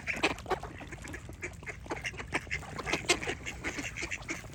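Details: Many ducks quack at once: rough, buzzy bursts crowd together in a continuous jumble of overlapping calls over a low hum.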